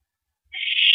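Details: Mouse delivery at night, April 13 2012 at 9:17 PM: after a soft low bump, an owl starts a continuous harsh, hissing screech that grows slightly louder and is cut off.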